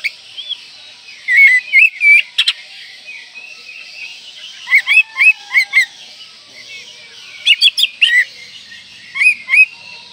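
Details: Oriental magpie-robin, breeding condition, singing elaborate varied phrases to provoke rivals: four spaced bursts of curling whistles and rapid chirps, with quiet gaps between them.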